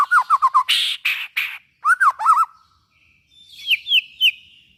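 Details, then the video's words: Song of a white-rumped shama to stimulate other shamas: quick whistled notes, harsh rasping bursts, looping slurred whistles, then softer high falling notes. "suara burung murai batu buat merangsang bunyi murai batu"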